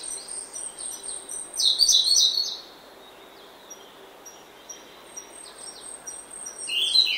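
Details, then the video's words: Early-morning oak woodland with a grey-backed thrush singing: a bright, loud warbled phrase early on and another at the close, between softer twittering from other birds and a thin sustained high tone. "Prominent Song From Grey-Backed Thrush."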